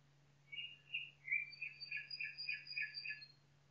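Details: Nightingale song in a forest: a rapid series of bright, evenly spaced chirped notes, about eight in a row, with a long thin high whistle drawn out above them, over a faint low hum.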